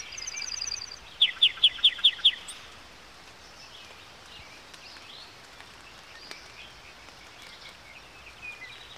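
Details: Yellowhammer singing: a quick run of about six sharp, high, evenly spaced notes, plus a few fainter notes before them. No long closing note follows. Then a steady hiss of rural background with faint distant chirps.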